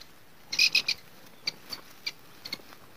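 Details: Grey francolin chicks on their first day give thin, high peeps: a quick burst of three loud notes, then scattered softer single cheeps over a quiet background.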